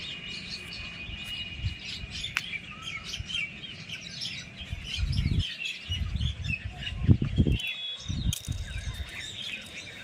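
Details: Chirping birds in a village setting: a steady high thin tone persists through the clip while scattered quick twitters and chirps from several birds overlap, with intermittent low rumbling bursts.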